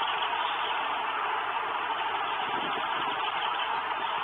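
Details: Steady broadband rumble like an idling engine fills the whole stretch, with no animal calls standing out.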